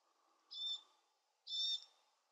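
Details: A glossy black cockatoo fledgling being fed gives two harsh, wheezy begging squawks, each about a quarter second long and a second apart, over a faint low hum.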